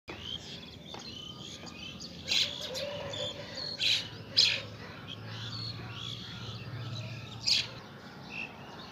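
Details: Pied myna in the morning at Saifai, Uttar Pradesh, captured on a mobile phone: scattered sharp chirps and brief high notes in short bursts, with a low steady hum underneath.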